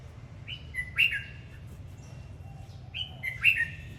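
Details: Red-whiskered bulbul singing as it dances, repeating the same brief whistled phrase twice about two and a half seconds apart, each a sharp rising slur then a quick drop, over a steady low hum.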